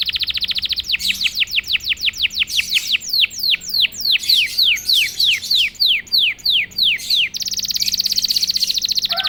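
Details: Canary that was silent bursts into song after a single prompt: long, rapid series of bright, high, downward-sweeping chirps repeated about three per second, ending in a dense buzzy high trill.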